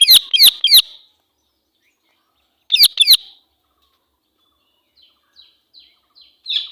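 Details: Harsh, piercing screeches from an angry female Indian ringneck parakeet, a run of three then a pair, followed by faint short chirps and a final louder squawk.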